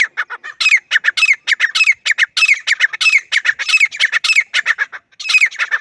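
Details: Teetar, the grey francolin, calling steadily and loudly: a dense, unbroken sequence of harsh, ringing notes in repeated phrases, each phrase led by a higher, sliding squawk.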